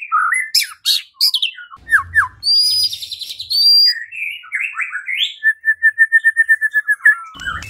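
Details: White-rumped shama (murai batu) song meant to trigger singing and fighting: varied slurred whistles and buzzy phrases, ending in a fast steady series of about a dozen repeated clipped notes.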